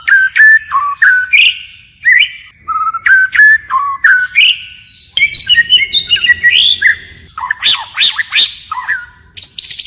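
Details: Forest-voice song of a white-rumped shama with ceaseless phrase changes: paired clear whistles at steady intervals, then a denser, jumbled passage of rasping and chattering notes.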